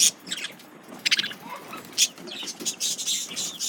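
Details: Male budgerigars reacting to a lemon cucumber: bursts of sharp broadband chirps and scratchy chatter, several quick clicks near the start and a dense run of warbling notes toward the end.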